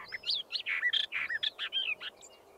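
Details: Western Orphean Warbler, a scarce, elusive summer visitor, singing from a holm oak: a quick run of rich, thrush-like warbled phrases, slurred whistles and chatter, with another more distant bird answering in the background, over faint hiss.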